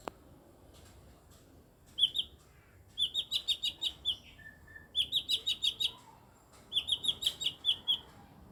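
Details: Odd-voiced eight-year-old mini blue-winged leafbird repeating bursts of six to eight sharp, high chipping notes, a brief lower whistled note between the second and third runs.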